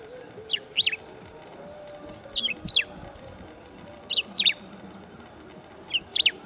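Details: Bristled grassbird calling from an open perch, giving short paired phrases of sharp, descending high notes about every two seconds, over a steady high insect hum.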